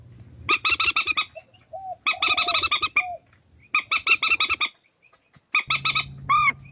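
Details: Swamphen calls assembled into a trapping lure: four bursts of harsh, rapid honking about a second long, linked by soft, drawn-out nasal notes, with a low hum at the edges.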